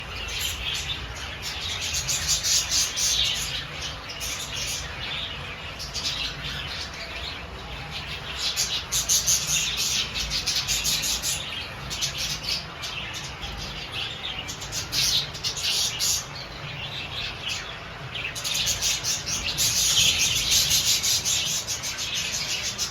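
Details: A crowd of farm-kept budgerigars, about 40 to 60 days old, chatters nonstop in high, scratchy chirps and warbles.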